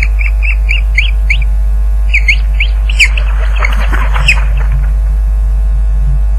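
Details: Osprey at the Loch Garten nest camera during a fish delivery, 30 April 2010, 12:39 pm. Quick whistled chirps in two short bursts give way to rustling, thumping nest noise and scattered clicks, all over a low hum.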